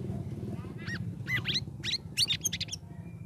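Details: Caged sooty-headed bulbul after three weeks in an ombyokan, singing ngeriwik ngeplong. A run of rapid, bright chirped and whistled notes, rising and falling, packed into about two seconds, over low background hum.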